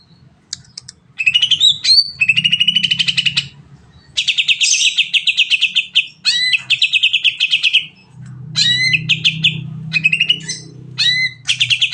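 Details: Extended 'nembak' song of a greater green leafbird, meant to stimulate other birds: long rapid high trills alternating with sharp rising whistles and clicks, phrases separated by brief pauses, steady low hum underneath.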